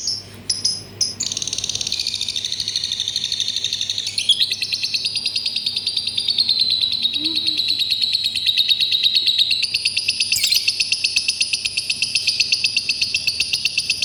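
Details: Lovebird singing a long, continuous, rapid trilling chatter, high and buzzy, with pulses repeated many times a second and a few thin whistled notes mixed in, over a low hum.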